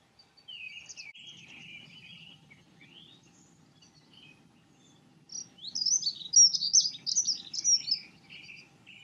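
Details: Dunnock singing: faint high twittering notes early on, then a loud, fast, jumbled high warble of tumbling squeaky notes from about five seconds that trails into thinner trills.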